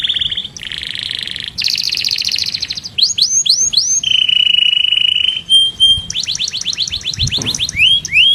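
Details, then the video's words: Master canary singing a varied song: buzzy trills, rising whistles, a long level whistled note lasting about a second, then fast repeated chirps and swooping slurs, with a soft low thump near the end. "O SOM DOS CANÁRIOS MESTRE CHAMANDO AMIGOS E BRIGAS"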